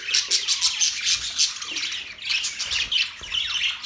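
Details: Chirping budgies give quick squeaky notes and scratchy calls in tight clusters, with a brief dip in the chatter midway.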